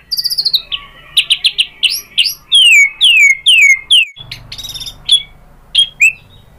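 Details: White-rumped shama lure song for drawing replies from other shamas. Fast chattering notes lead into loud, descending whistled slurs, then scattered sharp chips over faint background hum.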